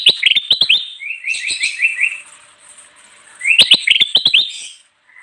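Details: Lively kutilang emas bulbul song meant to lure wild birds, opening with quick sharp chirping notes, then a run of short rising whistled phrases, a quieter pause, and another fast burst of crisp chirps.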